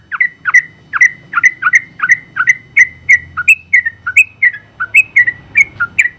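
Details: Sooty-headed bulbul giving a long rapid 'ropel panjang' song, a general-class contest winner. Steady repeated whistled phrases dip and rise, about three per second, with a soft low drone behind.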